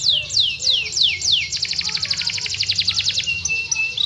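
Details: Yorkshire canary song meant to prompt silent canaries into singing: five slow descending whistles, then a quick buzzy trill of stacked notes ending in a level tone.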